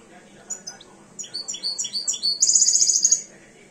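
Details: A two-year-old European goldfinch, kept as a cage bird and starting to come into breeding condition, sings a quick series of high twittering notes that end in a bright, buzzy trill lasting nearly a second.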